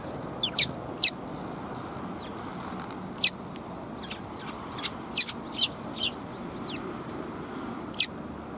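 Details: Sparrows, among them one without a tail, recorded 17 January 2022 on the way out: short, sharp high chirps scattered irregularly, roughly a dozen in bursts of one to three, over a steady low background hum.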